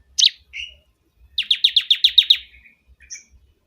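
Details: Bar-winged prinia (ciblek kebun), a loud song used as a tutor or lure: two sharp opening notes, then a quick descending series of about nine rasping chirps trailing off.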